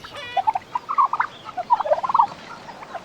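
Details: A domestic male turkey in a farmyard in February, squaring up for a dominance fight with a rival, wattle swelling in anger, gobbles in rapid, gurgling bursts of mid-pitched notes in uneven runs, with a brief squeaky note near the start.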